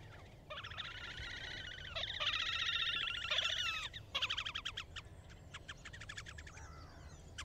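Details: Horned grebe (Podiceps auritus) calling and singing: a long, shrill, nasal trill-ending advertising call that breaks into rapid stuttering notes, then scattered squeaky calls over a low background rumble.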